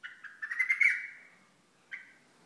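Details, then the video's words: Hasawi bulbul from Al-Ahsa producing a stuttering series of short notes that swell into a buzzy, chattering phrase. A single short note follows after a pause, with faint background hiss. "بلبل حساوي"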